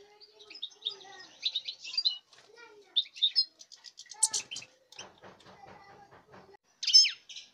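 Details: European goldfinch song recorded 05.08.2019: rapid high twittering with buzzy and tinkling notes, short trills and chirps in bursts, ending with a bright, sharp phrase.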